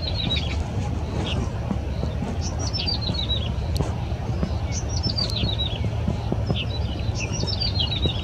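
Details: Yellow-bellied prinia singing at Yingfeng Riverside Park by the Keelung River, 14 April 2017. Bright, tinkling phrases of notes step downward in pitch and recur every two to three seconds over a loud low rumble.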